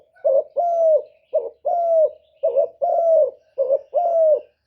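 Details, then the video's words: Spotted dove calling to attract wild birds: clear low coos alternating a short rough note with a longer smooth drawn-out note, repeated about once a second in an even rhythm, clean and close. "CU GÙ CỰC SUNG BÀI BẢN DÙNG ĐỂ MỞ KÍCH CHIM BỔI, TERKUKUR, Tiếng chim cu, cu gáy kích bổi, Cu đất"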